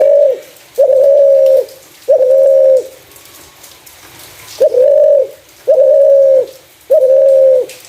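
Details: Spotted dove giving its clear voice, used as a lure for other doves: six smooth, level, mid-pitched coos, each under a second, in an uneven series with a longer pause midway; faint background hiss.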